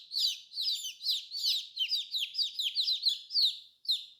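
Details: High-pitched chirps from colorful baby chicks, each sliding downward, come in quick clustered runs that fade briefly before a last peep.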